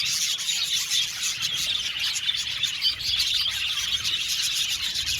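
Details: Many budgies chirping together in an aviary, an even wash of high twittering and scratchy warbles without pauses.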